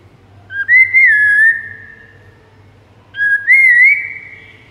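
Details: White-rumped shama master song for luring rival shamas: two long, rich whistled phrases about two and a half seconds apart, each wavering slightly in pitch before trailing off, over a faint low hum.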